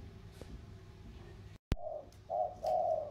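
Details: Spotted doves in a cooing contest, one from the Sóc Trăng river delta lowlands against one from the Cam Ranh mountains: after a sharp click, three low, soft coos follow in quick succession.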